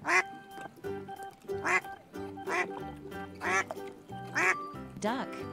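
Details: Duck quacking about six times in harsh, nasal bursts, mixed with background music and some speech.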